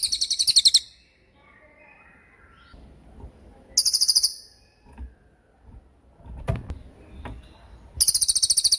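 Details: Cililin shooting song for tutoring murai batu, given as three short, loud bursts of very fast high chips separated by quiet gaps with faint soft background noises.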